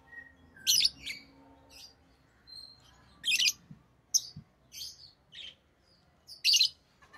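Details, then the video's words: Captive rosy-faced lovebirds, orange-faced green and red-headed green forms, trading sharp, scratchy chirps and shorter squeaks at uneven intervals, with a soft low hum and a brief knock in the background. "Rosy Faced Lovebird Chirping Sounds"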